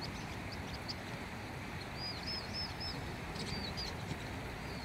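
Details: Vinous-throated parrotbill seen in June, a bird that rarely stays still. A short run of thin, high, arched chips sounds over heavy continuous background rumble.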